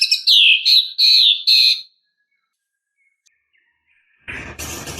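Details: White-rumped shama song said to challenge a rival: four loud high downslurred whistles in quick succession, silence, then a burst of harsh broadband noise at the end.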